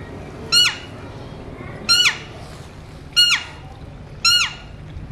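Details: Pet Alexandrine parakeets, described as talking parrots whistling, give four loud falling calls rich in overtones, roughly one every 1.2 seconds, against faint background noise.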